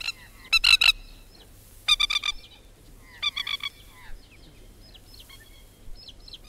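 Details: In Australia, a Masked Lapwing (Spur-winged Plover) gives three loud bursts of harsh, strident chattering notes about every one and a half seconds, with fainter bird calls behind.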